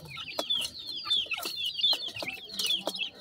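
Black partridge chicks peep in a busy chorus of thin, high, slurred chirps, several overlapping each second, with occasional sharp tapping sounds.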